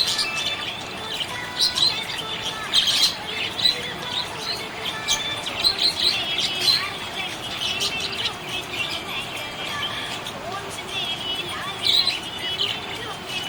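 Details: Cheerful budgerigar chatter: a long stream of fast chirps, clicks and warbled squeaks, louder bursts around the third and twelfth seconds, quiet tonal hum behind.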